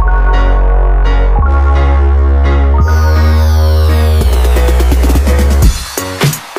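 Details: Loud electronic dance music with heavy bass and synthesizer, with no animal calls.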